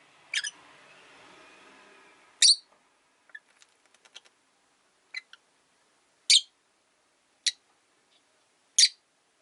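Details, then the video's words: Lone pet rosy-faced lovebird, kept by a window after losing its partner, gives short shrill rasping chirps roughly every one to two seconds, six in all, with quiet clicks between them. "Lovebird Chirping Sounds"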